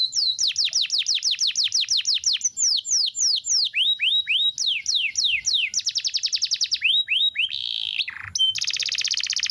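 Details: Canary singing vigorously as a tutor song for training contest birds: fast series of bright, swooping notes repeated several per second, shifting between trill types and ending in dense, buzzy high rattles.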